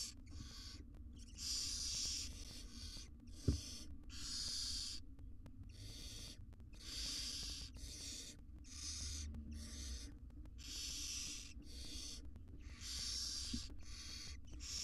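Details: Wild barn owls in a research nest box, a mother grooming her tiny chicks; long breathy hissing bursts of about a second repeat steadily with short gaps, a faint low hum and a single sharp knock underneath.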